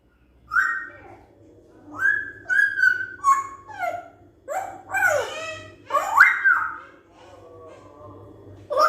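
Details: African grey parrot, kept as a pet, giving a series of varied whistles and mimicked word-like sounds, some sliding up and down, in short bursts separated by pauses, indoors with a low steady hum.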